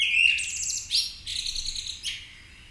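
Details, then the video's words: Birds awakening at dawn in Marousi, Athens, Greece, giving a short run of high, buzzy trilled chirps with sharp rising notes, close and clear over a faint low background hum. "MAROUSI BIRDS AWAKENING"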